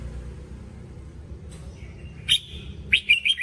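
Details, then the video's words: Red-whiskered bulbul singing a training song: a short sharp note, then a thin steady whistle, ending in a quick burst of three or four bright, warbled notes over a low background hum. "Luyện giọng chào mào"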